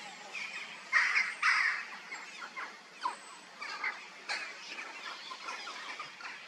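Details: Peregrine falcon, a resident bird at a quarry whose iron-rich limestone and clay stains its chest pink, screaming: harsh, grating calls loudest in the opening two seconds, then shorter calls repeated irregularly at lower volume.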